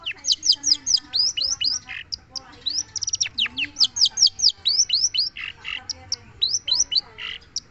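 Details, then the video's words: Long-tailed shrike singing: a fast, uneven run of high, sharply falling whistled notes mixed with short buzzy bursts, about two or three notes a second. "Burung cendet"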